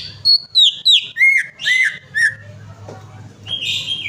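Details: Lure song of a greater green leafbird for prompting a non-singing bird: a fast cascade of bright whistled notes dropping from high to mid pitch, then a soft pause and a brief rising whistle, with faint low hum behind.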